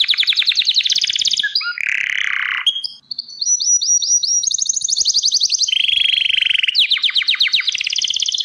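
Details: Song of a Gloster canary, a domestic canary breed: rapid high trills give way to a harsh buzzy roll, a brief pause, then sustained level rolls and cascading chattering tours, all sung loudly and without background noise.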